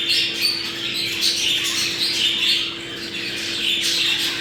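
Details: Budgerigars warbling together, a mating call to bring birds into breeding condition: continuous high, wavering chatter with rising and falling squeaky phrases and harsh squawks, above a steady faint hum.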